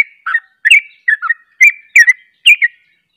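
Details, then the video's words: Sooty-headed bulbul in 'ropel' song, with another bulbul taking part. Six or seven short, gurgling double notes, each a quick downward slur, repeated about every half second. "Ropelanya Bikin KAGET Trucuk Lain Ikut Ropel"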